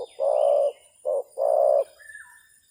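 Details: Spotted dove used as a decoy, calling against a wild bird: three deep, mellow coos in a long-short-long pattern, followed by faint higher chirps.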